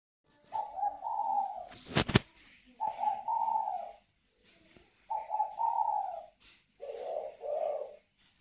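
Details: Pair of spotted doves of the northern Vietnam type, in the còi vang and thổ xịn voice styles, from a bird farm in Ba Vì, Hanoi: four low, throaty cooing phrases about a second long, with one sharp click between the first two.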